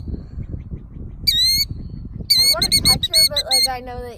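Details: Female killdeer at her nest in a pasture, feigning a broken wing to lead people away, gives shrill, high, ringing notes, first a single long call, then a rapid, agitated run of cries, over low rumbling wind and handling noise.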